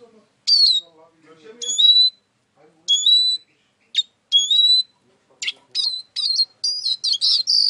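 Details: Eurasian siskin song: clear, high, downward-sliding whistles repeated every second or so, then a quickening run of twittering notes that crowd together toward the end.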